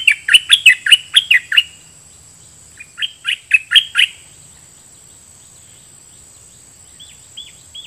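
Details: Decoy red-whiskered bulbul, dok taeng singing style, calling out to wild birds with a rapid doubled phrase: a fast run of sharp repeated whistled notes, a pause, then a second shorter run. Faint distant chirps follow.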